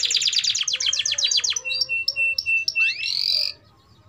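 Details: Singing canary meant as a model for young birds learning song: rapid series of descending chips, then short steady whistled notes repeated evenly, ending in a rising buzzy trill.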